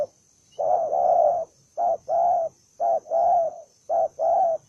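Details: Combative spotted dove repeating loud, low coos: four phrases pairing a clipped note with a longer, sustained hoot, spaced about a second apart, clear and close in a quiet place.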